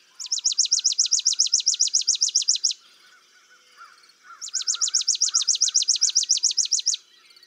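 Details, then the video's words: Chipping Sparrow gives two dry, rapid trills of about twenty identical chips each, high and mechanical, almost insect-like, with faint lower calls in the pause. Its chipping trill varies in tempo. "the chipping sparrow song is a chipping Trill with varying Tempo and may sound insect-like or mechanical"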